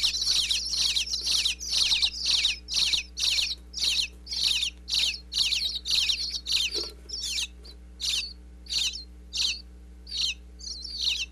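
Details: Nestling bluebirds calling from inside their birdhouse in Pennsylvania whenever the mother and father land to feed them, close wireless-microphone recording; rapid, harsh high chirps about twice a second, loud and continuous, thinning slightly toward the end, with faint hum.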